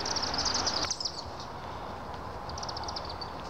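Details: Chimney swifts at Mokena Village Hall on 28 September 2018 at sunset, going in to roost. Rapid, high, chittering twitters come in two bursts, a longer run and then a shorter one, over a steady broadband rumble.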